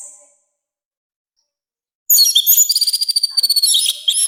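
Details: Orange-headed thrush, loud harsh song used to train and provoke other birds; after two seconds of silence a dense burst of high, fast, varied whistled and scratchy notes runs to the end.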